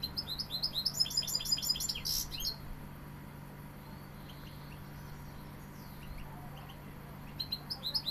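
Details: European goldfinch described as Sevillian, singing fast tinkling twittered phrases for about two and a half seconds, then a near-silent pause with faint notes, and a new burst of song at the end; a steady low hum runs underneath.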